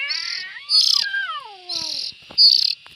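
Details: Raspy, noisy bursts from young bulbuls, interleaved with several clear whistled notes that slide downward in pitch.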